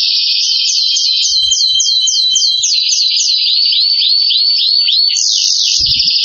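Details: Excited canary pouring out rapid repeated downslurred notes, switching to rising upslurred notes, then a dense buzzy trill, loud and continuous.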